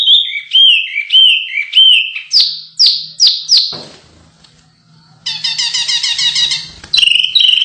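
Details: Canary song for contest training: looping whistled notes, a few loud falling sweeps, a brief lull, then a dense buzzy rattling trill and renewed whistles.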